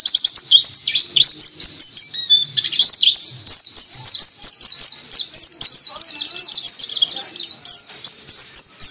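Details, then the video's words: White-eye singing ngriwik, recorded casually while sitting: a fast, unbroken stream of thin, high, slurred chirps, a few more varied notes early on, then evenly repeated tweets. "Pleci Durasi"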